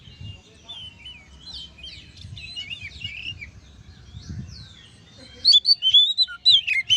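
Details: Oriental magpie-robin song played to trigger other magpie-robins to sing; soft, distant rambling warbles over low background rumble, then a sudden run of loud, clear whistled notes near the end.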